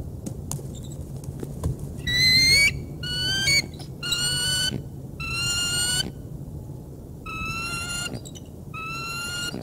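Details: Bald eagle at the Decorah North nest bringing prey in, 3 March 2019: a series of loud, high whistled squealing notes, each about half a second long, some sliding upward, given in bursts with short gaps and steady background hum.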